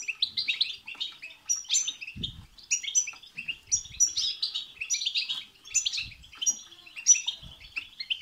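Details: Goldfinch song meant to excite another goldfinch into singing, a dense stream of bright chattering twitters and liquid trills with brief nasal buzzes, barely any background beyond a few faint low knocks.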